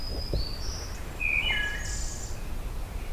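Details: A distant Ruby-crowned Kinglet in woodland along the trail back to Pine Tree Harbour sings thin, very high whistled notes, then lower, slightly descending warbled phrases, faint against steady low rumbling background noise.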